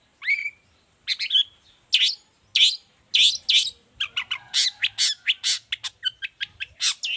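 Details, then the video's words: Long-tailed shrike in full lively song, suited as a tutor recording and for luring other shrikes: a rising whistled opening, then a fast run of scratchy, chattering and high squeaky notes packed closely together, growing denser toward the end. "Cendet gacor cocok buat masteran juga pancingan cendet lainnya"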